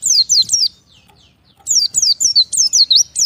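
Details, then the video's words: Oriental white-eye cut off from the flock and calling to its companions: bursts of shrill, quick descending chirps, a brief pause of almost a second, then another rapid series of high, slurred notes. "BURUNG PLECI MEMANGGIL LAWAN TERPISAH DARI KOLONI"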